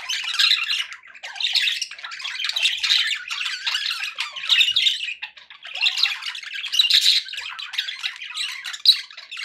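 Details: Pet budgerigars chattering to keep other budgies company, repeated bursts of harsh warbling squawks and squeaky chirps, with a few brief quiet gaps.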